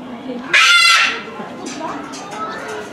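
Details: Captive Moluccan cockatoo calling repeatedly at Omiya Park Small Zoo, Japan, in December 2017. It gives one loud, harsh, broadband screech of about half a second, with murmuring visitors' voices around it.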